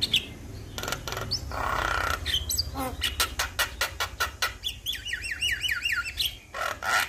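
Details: Male Javan myna calling to other mynas, which answer at once: harsh broadband clicks and rasps, short whistles, then a quick run of five or six rising, looping whistled notes near the end.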